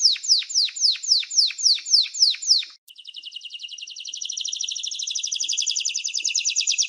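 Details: Canary singing slow, evenly spaced, high notes slurred downward, then a short break before a quiet, fast rolling trill that builds in loudness.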